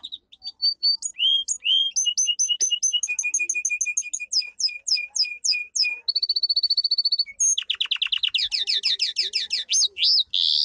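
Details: Powerful domestic canary training song: varied fast chirps and whistled notes, a short steady trill, then a dense loud run of rising sweeping notes.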